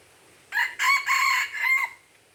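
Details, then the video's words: Aceh Red junglefowl, 05/01/2020, crowing once. The phrase has four buzzy, harmonic-rich parts: a quick first note, two drawn-out middle notes and a closing note that slides downward. It is clear, with faint low background noise. "Ayam Hutan Aceh"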